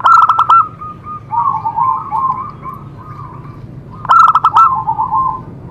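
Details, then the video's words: Zebra dove song meant as therapy to spur other doves to sing: two loud, harsh, clipped cooing bursts, first at the start and again near four seconds, linked by softer rolling trilled coos at one steady pitch. "Cocok untuk terapi semua jenis perkutut pasti nyamber"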